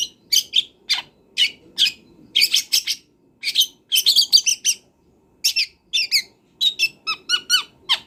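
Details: Long-tailed shrike in the wild, full varied song as a training master: bursts of harsh chattering notes broken by short pauses, ending in a run of clearer whistled, sharply falling notes.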